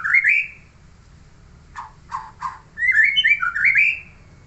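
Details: Shama (murai) belonging to a neighbour, 2022: a bright rising whistled flourish, a pause, three rough downslurred notes in quick succession, then a rich burst of overlapping, swooping whistles.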